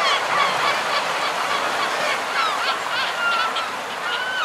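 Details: Common guillemots on their breeding ledges, with fulmar and kittiwakes nearby. A crowded chorus of rasping calls overlaps continuously, cut by brief sliding whistles and higher yelps over a hissing background.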